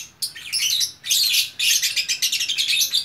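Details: Lovebird, single fighter bird in Bukittinggi, West Sumatra, singing in gacor orkestra style: intense, shrill, buzzy chattering in two long phrases separated by a short pause.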